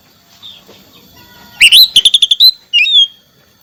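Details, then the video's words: Song of an Oriental magpie-robin, played to coax a silent bird back into song: after quiet background, a rising whistle leads into six quick repeated chip-whistles, then a longer falling whistled note. "Terapi kacer macet bunyi , hitungan detik kembali gacor terus menerus"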